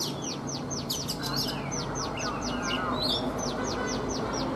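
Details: Morning singing from a caged, wild-caught Oriental magpie-robin three seasons in captivity: a steady series of high falling notes, briefly interrupted by slurred warbles, against a constant low hum.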